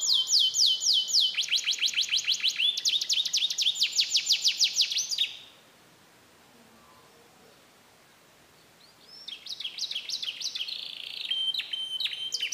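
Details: Canary singing a mixed song of imitated phrases, recorded in Comal, Pemalang, Central Java, Indonesia: fast buzzy trills and rapid high repeated notes, a pause of near silence midway, then the trilling resumes.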